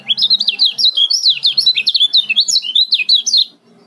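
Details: Rapid Lombok 'ciak' calling of a male lemon-bellied white-eye, meant to stir reluctant birds into song: a dense run of high, sharply rising and falling chirps for about three and a half seconds, then quiet.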